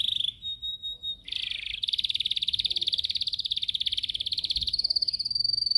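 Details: Caged yellow canary in song training, delivering short whistled notes followed by a long, rapid rolling trill that holds steady and rises slightly in pitch near the end.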